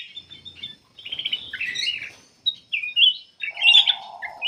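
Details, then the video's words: Black-capped bulbul song used as a lure for other birds. Short whistled phrases and scratchy trills come in separate bursts, and a low buzz sounds near the end. "KUTILANG EMAS \ CUCAK EMAS GACOR FULL GACOR sangat bagus buat pancingan \ pikat"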